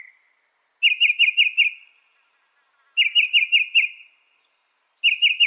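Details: Northern mockingbird imitating other birds, said to manage 200 sounds: bright whistled syllables delivered in tight runs of five, repeated about every two seconds with short silences between.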